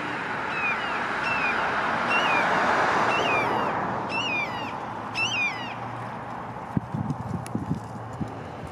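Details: Juvenile red-shouldered hawk giving a run of squeals: repeated thin, slurred screams, fainter at first and then two stronger ones, over a loud roaring traffic-like background, ending in scattered clicks and knocks.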